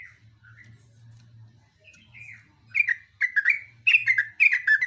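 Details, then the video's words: Yellow-vented bulbul building into gacor song, beginning with a few soft separate whistles, then breaking into rapid loud bursts of bubbly, falling notes in long runs; faint low hum beneath. "kicauan trucuk super gacor"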